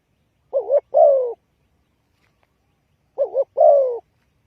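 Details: Spotted dove trapping lure: two phrases about two and a half seconds apart, each a quick wavering double coo leading into a longer downward-slurred croo.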